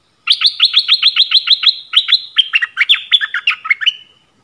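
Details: Yellow-vented bulbul, a lure recording used to draw wild birds: a loud, bubbling series of quick chirping notes repeated about four per second for nearly four seconds, slightly descending toward the end.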